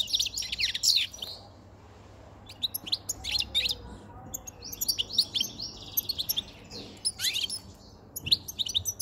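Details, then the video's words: White-chinned male European goldfinch in a cage, caught five months ago, singing as spring and breeding season approach; repeated bursts of high, buzzy, twittering song, dense and continuous in places. "jilguero jilguero con Barbeta blanca cantando"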